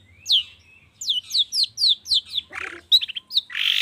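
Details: Long-tailed shrike in a morning lure recording meant to draw song from other shrikes: a string of sharp downslurred whistles in quick succession, then a harsh rasping note and short chattering trills.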